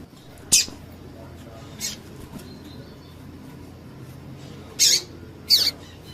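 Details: Female double-collared seedeater call, used by breeders to stir a male into singing for song tournaments: four short, sharp, high chirps, a single one and then a spaced pair, over a faint low background hum.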